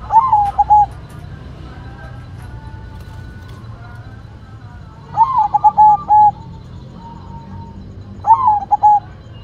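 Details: White zebra dove with a bouncing voice repeating its song: three rolled, stuttering coo phrases about three seconds apart, each ending in short clipped notes, with faint soft coos between.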